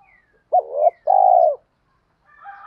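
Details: Spotted dove giving a lure coo meant to provoke wild doves into cooing back: a short clipped note then a longer steady mellow coo, low and hollow, with quiet silence between.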